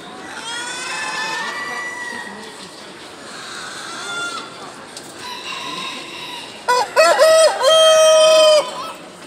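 A Brahma rooster crows twice: a faint, drawn-out call early on, then a loud, harsh cock-a-doodle-doo ending in a long held note.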